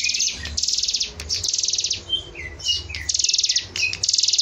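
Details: Hill prinia in full song, used to stimulate and train other cage birds: high buzzing trill bursts alternating with several shorter, lower whistled notes, all over a faint low background rumble.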